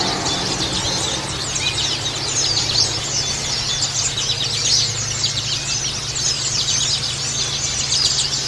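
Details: Many oriental white-eyes in a colony twittering together: a continuous wash of sharp, high tweets and short trills, with a constant low droning hum underneath.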